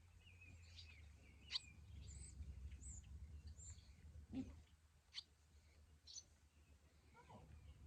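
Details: Barn swallows, parents with three fledglings on their third day out of the nest, call in flight as the parents coax the young to fly: scattered, thin, high chirps and twitters over a low rumble of wind or traffic.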